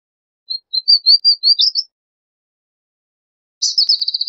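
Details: Palestine sunbird singing a string of thin, high whistled notes rising toward a sharp flourish, followed after a pause by the start of a rapid, buzzy trill.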